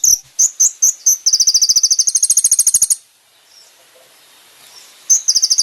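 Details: Kolibri ninja singing for caged-bird training: spaced sharp chips lead into a long, fast, high ticking trill that stops, then starts again after a short pause.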